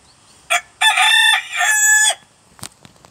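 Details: Rooster of unknown breed crowing: a brief opening note, then a long, rich, harmonic cry of about a second and a half that dips briefly midway before ending abruptly, followed by a few faint clicks.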